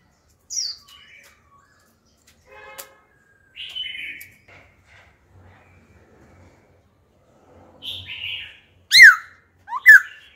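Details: Laughingthrush, wild-caught and old, switching phrases to coach young birds: scattered soft warbles separated by long quiet gaps, ending with two sharp, loud, steeply falling whistles about a second apart.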